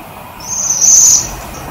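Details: A waxwing in a privet bush gives one thin, very high, sibilant trill lasting under a second, with a faint background hiss.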